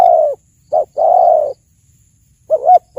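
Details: Spotted dove cooing loudly and clearly: a short note, then a long, hoarse, level coo, followed by a pause and a wavering two-part note, with no other sounds.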